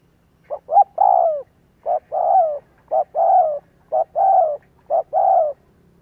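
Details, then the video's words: Spotted dove lure call meant to set other doves cooing: a short clipped note followed by a longer, slightly falling coo, the pair repeated about once a second, six phrases in a row, clean with no other sounds. "Tiếng chim cu kích bổi"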